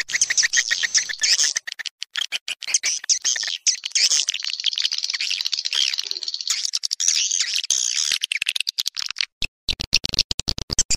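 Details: Swiftlet lure sound used in swiftlet farming: a long stream of high, twittering chirps laced with fast clicking, ending in a burst of loud, regular clicks.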